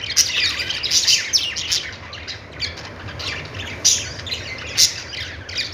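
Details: Budgies chirping: a lively run of high twittering and warbling at the start, then scattered single sharp tweets, over a faint low background hum.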